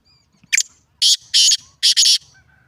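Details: Black francolin delivering its harsh call: one brief scratchy note followed by three loud grating buzzy bursts, the last doubled, with faint thin whistles of other birds around it.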